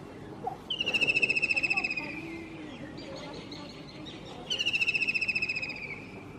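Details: White-throated kingfisher singing from a roof, giving two long whinnying trills a few seconds apart, each a fast run of shrill pulsed notes gently descending in pitch, with a fainter chattering sound between them.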